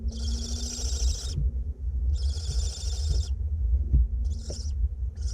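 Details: Barn owlets, two of them, in a nest box in north Glasgow while being fed; two long hoarse hisses, then shorter clipped ones, with soft knocks and a steady low hum.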